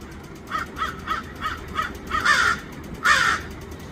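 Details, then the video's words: Crows in Los Angeles: five short, hoarse caws about every third of a second, then two longer, louder, harsher caws after a pause, over a low steady background rumble. "Lots of crows"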